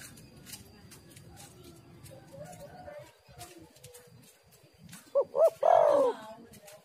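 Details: Female spotted dove call used as a lure for other doves: after several seconds of faint background sounds, one loud phrase near the end, two short rising notes followed by a longer, slurred, falling coo.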